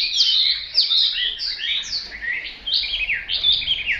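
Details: Hwamei pouring out quick, varied whistled notes, many sharply falling slurs strung together in an energetic, uneven run.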